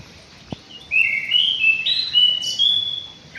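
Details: An aviary white-rumped shama sings a high, rich phrase of slurred whistles rising in steps, topped by a sharp burst and a long level note, after a single faint knock.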